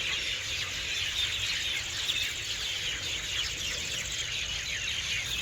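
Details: Hundreds of birds gathered in garden trees for the night at evening roost, chirping loudly together in a dense, echoing chorus of overlapping high twitters and tweets, with a steady high insect-like hiss running throughout.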